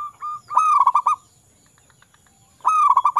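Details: Local wild zebra dove singing to draw silent doves into song: two bursts of rapid, rhythmic, slightly nasal coos, one at the start and one at the end, separated by a quiet gap.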